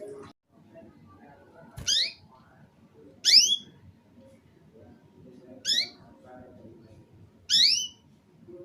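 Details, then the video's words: Short, broken canary song used to stimulate young canaries to sing: four separate high, sharply falling chirps spaced one to two seconds apart over a low background rumble. "RANGSANGAN DAN PANCINGAN KENARI PAUD AGAR CEPAT BUNYI DAN GACOR - kenari lain langsung respon"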